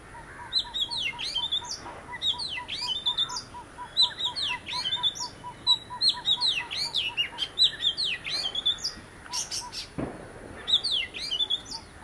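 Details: Varied whistled phrases from an Oriental magpie-robin of a visiting pair: quick swooping notes and twangy slurs in bursts, accompanied throughout by another bird's even string of low, hollow pips and a brief rustle near the end.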